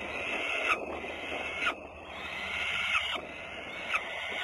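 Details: Peregrine falcons in Włocławek, Poland, recorded on a Sunday afternoon, 6 June 2010: long, harsh, nasal wailing calls about a second each, run almost together with brief gaps over a steady background hiss.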